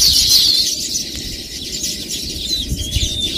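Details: A loud burst of shrill, fizzing high chirps from Baya weavers opens, then the quick twittering chatter carries on more softly.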